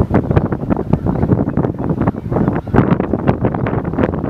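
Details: Strong gusty wind buffets the microphone at Merced Wildlife Refuge, with a low rumble and no animal sound.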